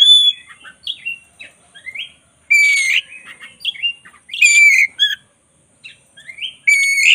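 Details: Energetic song of a black-breasted Oriental magpie-robin used as tutor material: varied phrases of chirps, twangy slurred whistles and rich harsh bursts, delivered in spaced clusters with brief silences between them.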